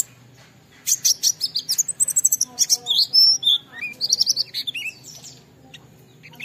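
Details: Oriental white-eye lure song for prompting other white-eyes: a lively run of fast, high chirps and twittering notes mixed with lower sliding whistles, dense for about four seconds, over a steady low hum.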